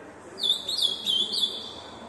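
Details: Ultramarine grosbeak, described as exceptionally fast, singing a quick warbled phrase of high twittering notes. The phrase rises and falls rapidly over about a second, with no other clear sounds.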